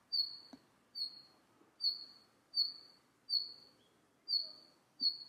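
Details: Red-flanked bluetail repeating a fine, high-pitched whistle roughly every second, seven notes in all, each fading away, with faint low taps and light background hiss.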